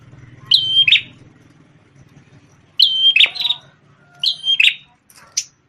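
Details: Red-headed prinia known locally as prenjak tamu, a loud former tutor for white-rumped shamas, produces three whistle-then-buzz phrases separated by pauses of nearly two seconds, plus a brief higher note at the end.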